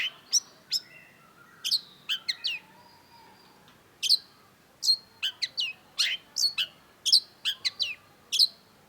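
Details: Long-tailed shrike (cendet) singing vigorously in a masteran tutor recording: sharp, very high downward-slurred chirps at irregular intervals, some in quick pairs, with a few short thin whistles between.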